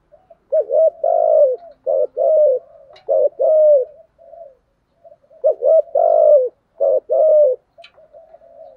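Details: Spotted dove kept as a decoy, cooing to provoke and draw in wild doves. Two phrases, each a run of clipped coos around one long sustained coo, with soft murmuring notes between the phrases.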